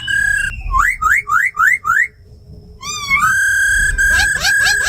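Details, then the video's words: Tame khướu mun and female laughingthrush, caged, singing 'forest voice' to rouse freshly caught birds: five rising slurred whistles in quick series, a pause, then a long rising and held whistle with harsh overtones. "Tiếng chim khướu mái ro khẹt + khướu mun thuần hót giọng rừng kích bổi căng lửa"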